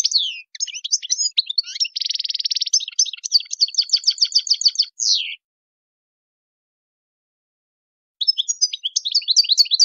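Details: A European goldfinch sings in the wild song style, 'shoun khalawi': tinkling twitters, a buzzy trill, quick repeated chips and a descending slur, then a long pause before more twittering.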